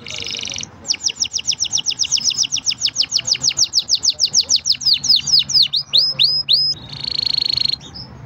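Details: Green canary song: a short buzzy burst, then a long run of rapid sweeping notes repeated several times a second that slow toward the end, closing with a steady buzzy trill and a final chirp.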